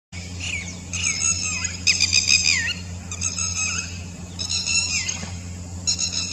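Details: Red-wattled lapwing giving its typical 'did you do it' call, answering another bird on the other side: shrill high repeated notes in quick bursts ending in falling slurred notes, several phrases, over a low steady hum.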